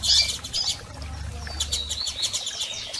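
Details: Double-collared seedeater calls from females and males, intended to stimulate a male: a loud bright chirp opens, followed by softer high twitters and clicks over a low rumbling background.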